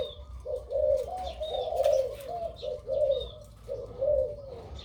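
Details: Low cooing phrases from a crossbred dove, described as big-voiced with a two-to-three 'kuk' karam delivery, rolling in bursts of about one per second, with scattered thin chirps in the background.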